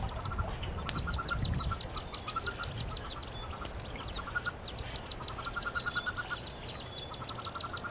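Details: Wood duck chicks, nineteen hatched in a shared nest box with one hooded merganser duckling in spring 2013. Many overlapping high peeps in rapid repeated strings, with a sharp click early and quiet rustling.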